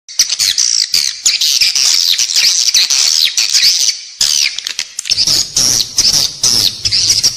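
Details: Edible-nest swiftlet calls played inside a building to attract swiftlets: dense, high twittering chirps and squeaky, buzzy notes in rapid overlapping bursts with no pauses, fading briefly near the middle before the chatter resumes.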